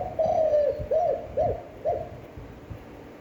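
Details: Spotted dove cooing in a standard voice for training and stimulating decoy birds; one longer mellow coo, then three short rounded coos that fall off at the end, spaced about half a second apart.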